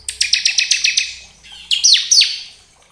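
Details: Bar-winged prinia, ciblek kristal style, singing to provoke other birds: a string of about eight evenly spaced chipping notes, followed by two or three sharp downward-swooping whistles.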